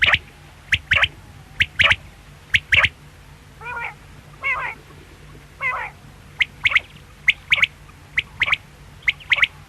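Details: Quail's quick three-note calls repeat through the stretch, broken midway by lower buzzy, rasping notes, over a constant low hum.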